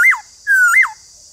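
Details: White-cheeked laughingthrush, a kept bird, played to spur idle birds into singing: two loud whistled phrases, each rising then sliding down, the second a long level whistle ending in a rise and fall, steady high hiss behind.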